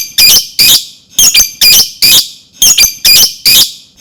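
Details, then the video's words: Lovebird ngetik song, a typing-like chatter used to trigger another lovebird's singing: loud harsh rasping bursts, each about a quarter second, repeated in quick pairs and singles roughly twice a second. "Pancingan ngetik suara lovebird"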